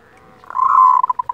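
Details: Local zebra dove giving a kerot call, used as a training model to stir breeding desire and aggression in other doves: a low, rolling purr-like note that swells, then breaks into short pulses.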